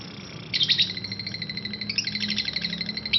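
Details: Parblue lovebird chattering, ngekek panjang style: a quick run of high rattling notes starting after a brief quiet moment, fairly even in pace, ending with a sharp squeak.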